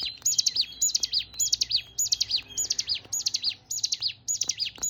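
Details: Rapid hill prinia song of repeated high, sharp twittering phrases, each a tight group of downward-sliding notes, delivered in a regular rhythm close to two per second, with light low background noise.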